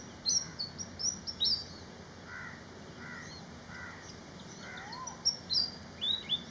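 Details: Malaysian pied fantail song: a quick run of high, squeaky notes that jump up and down, heard at the start and again near the end. Softer, lower paired calls from another bird fill the gap between them.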